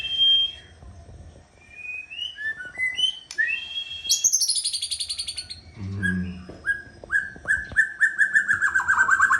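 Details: Song of a white-rumped shama kept as breeding stock: scattered rising whistles, a high buzzy trill, then a long series of repeated short whistled notes, growing louder.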